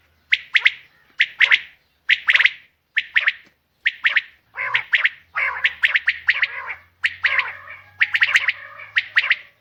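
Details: A female common quail gives rasping double and triple chirps in separate bursts about once a second, later running into longer chattering phrases over a faint low hum.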